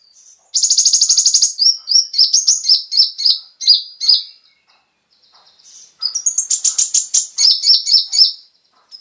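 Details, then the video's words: Konin song used as a singing lure for kept birds: a fast rattling trill flows into a run of descending chirps, a pause, then the sequence again. "PANCINGAN suara burung KONIN agar langsung GACOR dan ikut NEMBAK FULL ISIAN"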